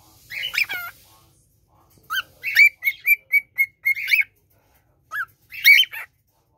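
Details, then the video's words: Indoor male cockatiel, one year old, making the "piku piku" sound compared to a printer: a descending whistled squawk, then a regular series of short bright chirps, followed by two sharper harmonic squawks in a quiet room. "He's a bird or a printer?"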